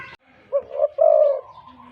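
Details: Big-voiced spotted dove used as a professional decoy bird. A single phrase: a brief low note, a second note, then a long drawn-out mellow coo.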